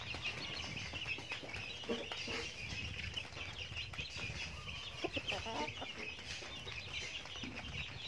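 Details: Chickens eating feed, giving soft repeated clucks and murmurs over a steady bright background hiss, with scattered short pecking clicks.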